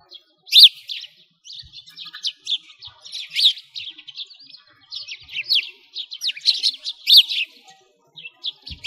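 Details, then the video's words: Winter sparrows beside a frozen lake in a Moscow park, Russia, giving repeated sharp, downslurred chirps in uneven bursts, some louder and nearer, with quiet gaps between. "Sparrows singing"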